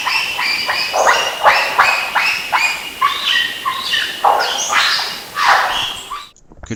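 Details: Superb lyrebird giving a continuous mimicry playlist of harsh, barking and squawking notes, about two each second, at varied pitches with no human-like whistles between.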